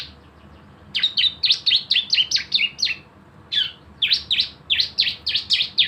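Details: A lure recording of Javan white-eye in 'nembak' style song, played to make birds sing: two fast runs of loud, high, sharply descending chirps, about four per second, separated by a short gap.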